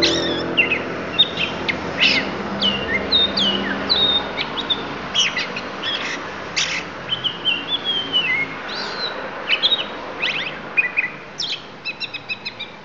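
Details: Oriental magpie-robin of the Lampung type giving its isian, a song of inserted phrases: varied clear whistles, sharp upswept and downswept notes and brief rapid trills, delivered in a continuous, shifting sequence over a steady low background hum.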